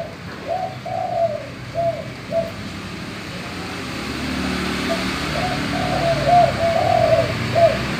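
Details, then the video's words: Spotted dove, likely a male, in full cooing song: soft, low, deep hollow coos in short phrases, pausing, then repeating the phrase, over steady background hiss and faint rumble; used as a lure to get other doves calling. "Tekukur suara gembur manggung"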